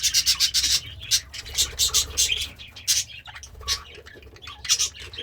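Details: Pet parakeet (budgerigar), happy while eating greens, gives quick runs of sharp, high chirps in short clusters with brief gaps.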